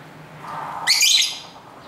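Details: Pet lovebirds at home, singing and talking to each other, recorded on a camera's internal mic: one harsh, high buzzy chirp after a faint lower murmur, over steady street background noise.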